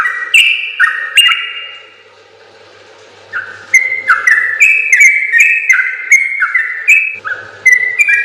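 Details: Long rolling gacor song of a sooty-headed bulbul, recorded for training other bulbuls: two rich whistled phrases, a quiet gap of about two seconds, then a rapid run of falling-rising whistles.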